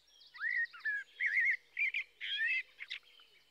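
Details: Blackbird song: a run of mellow, fluted warbling phrases, each under half a second, sliding and wavering in the mid range, with a thin high twitter near the start and quieter squeaky notes toward the end.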